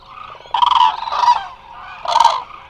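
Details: Many Eurasian cranes resting together at the Hula Nature Reserve, Israel, on a live webcam; three loud, rolling trumpet calls rise out of a steady murmur of further flock calling.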